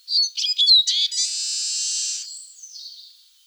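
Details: Eurasian siskin song: quick twittering chirps and a short whistle leading into a long, strained, wheezy buzz held for about a second, then tapering into softer chirping notes.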